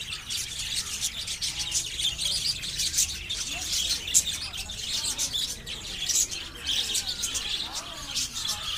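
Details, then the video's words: Natural chorus of small birds chirping, many thin high tweets and twitters overlapping without pause, steady and busy throughout, occasional brief louder chip standing out. "natural sounds of the little birds chirping"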